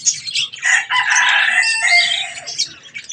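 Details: Budgerigar parakeets chattering as they eat strawberries: a loud, rasping stretch of warbled squawks with overlapping buzzy and squeaky notes, almost unbroken for three seconds.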